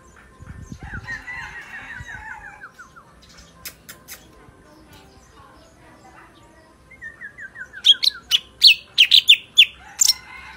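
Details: Sooty-headed bulbul with a clear, strong voice: soft descending stepped trills give way to a loud burst of quick, sharp, chirpy notes near the end, with faint background murmur.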